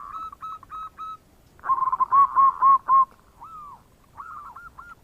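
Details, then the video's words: Local zebra dove in full song, giving the bekur cooing used to lure other birds: a quick series of short, clear, mid-pitched coo notes, then a louder stuttering run, a few drawn-out sliding notes and another quick burst. "Perkutut Lokal Gacor Suara Bekur Untuk Pancingan"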